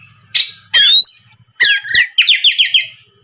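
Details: Lure song of an Oriental magpie-robin, meant to make raw birds reply: a harsh burst, then a long rising whistle, then a quick run of five or six sharp downslurred chirps.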